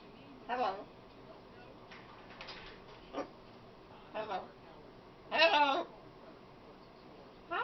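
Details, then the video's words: A female pet macaw that talks a lot utters a string of short mimicked word sounds and clicks at irregular intervals, with one louder, longer phrase in the middle. "talking macaw"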